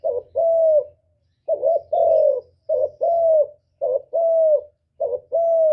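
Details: Spotted dove giving the 'cu gù' coo used as a trapping lure and to rouse caged birds. Five evenly spaced phrases, each a short quavering lead note and a longer smooth hoot sliding slightly downward.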